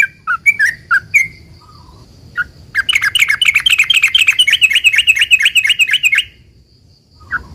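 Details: Sooty-headed bulbul singing to prompt other bulbuls to reply: a few separate chirps, then a fast burst of buzzy, bubbling notes lasting about three seconds, followed by quiet and one more chirp.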